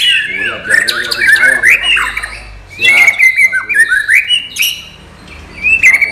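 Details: White-rumped shama with murai batu isian material, non gelembung: loud ringing whistles interspersed with scratchy chatter and buzzy notes, in three bursts separated by brief quiet gaps.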